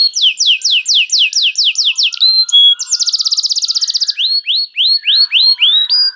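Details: Canary bait song to make other canaries sing: fast repeated downslurred whistles, a dense rapid trill, then slower rising whistled notes, with a faint low chatter in the background.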